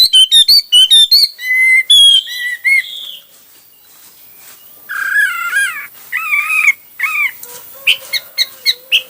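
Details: Hwamei song in many varied styles: fast run of sharp whistled notes, then slurred falling whistles, a pause, and wavering warbled phrases and quick chips toward the end.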